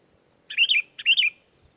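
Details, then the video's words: Sooty-headed bulbul song for luring wild bulbuls to answer: two rising-and-falling bubbly whistled phrases, each starting with a short note, followed by faint low knocks. "SUARA GACOR BURUNG KUTILANG!! KUTILANG LIAR AUTO LANGSUNG NYAUT DAN IKUT GACOR"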